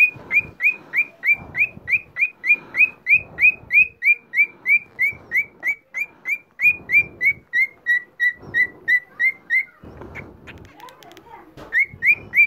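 A cockatiel gives a long run of clear rising whistles, about three a second, pausing briefly before resuming; some soft rustling underneath.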